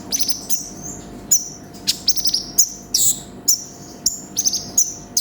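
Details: Konin, the brown-throated sunbird, singing 'gacor full isian': sharp high chirps that fall into drawn-out thin whistles, arriving in irregular groups with short gaps, some notes harsh and buzzy.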